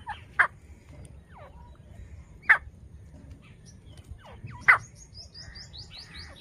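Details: A francolin (teetar) gives loud, harsh single notes about every two seconds, while other small birds whistle and chirp softly in the background.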